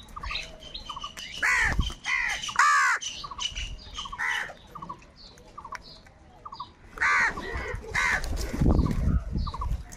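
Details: Crows fighting for food give angry, loud calls: bursts of harsh caws and squawks from several birds, with a quieter stretch of scattered short notes in the middle, then renewed loud calling.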